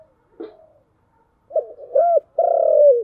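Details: Spotted dove giving a 'giọng thổ chiêu gù' coo: a faint click, a pause, then quick low notes building into a hooted coo and ending in one long, slightly falling, throaty note. No other sounds.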